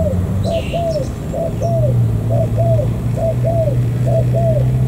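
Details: Spotted dove caught wild near the An Giang border gate in Vietnam, cooing in evenly paced pairs of low arched notes; a brief high chirp sounds near the start, with a droning hum underneath.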